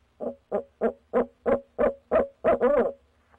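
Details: Barred owl of a pair at a nest box, calling in the night of 6 February 2019. Eight regular, resonant hoots about a third of a second apart, ending in a longer, wavering drawn-out note.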